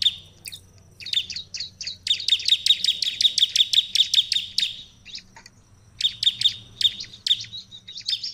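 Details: Energetic ciblek song, used to make other prinias answer, forms a long, even series of loud, clipped chirps at about two or three per second. The series pauses briefly and then resumes with further chirp groups.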